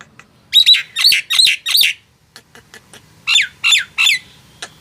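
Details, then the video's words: Loud hill myna song from Nias, meant to stir silent mynas into singing: two runs of four and three sharp squawking whistles, with quiet clicks between. "HITUNGAN DETIK, JALAK BISU JADI BUNYI"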